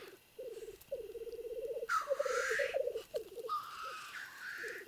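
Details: Male black grouse at a lek in the Trans-Urals, wild in natural habitat, rival cocks fighting: a continuous low bubbling, cooing roll in pulsed phrases, broken by loud harsh hissing sneezes.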